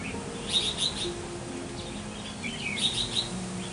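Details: Red-whiskered bulbul, a decoy bird taken up into the forest for trapping and praised for its fine voice, gives short, bright, warbled chirping phrases in two bursts, over a steady low hum and background noise.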